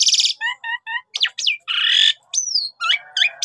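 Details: Lively Javan pied starling song used as a singing lure: a short run of three evenly spaced chirps, then harsh rasps, a long buzzy churr, a clear falling whistle and rough squeaks in quick succession.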